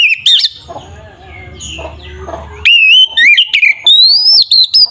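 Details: Oriental magpie-robin, a loud singer in fighting mode, used to make rival magpie-robins agitated. After soft mixed chatter, a rush of loud, sliding, whistled notes follows in fast, lively bursts.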